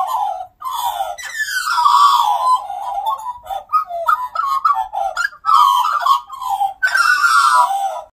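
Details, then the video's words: Australian magpies carol in rich, fluty warbles, with gliding and yodelling notes tumbling over one another in an unbroken, overlapping chorus; singing. "Australian Magpies Singing"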